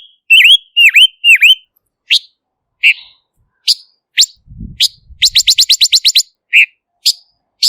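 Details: Silver-eared mesia opening with three V-shaped whistled dips, then scattered sharp ticks, a soft low thud, and a rapid even rattle of about ten clicks, ending with more ticks.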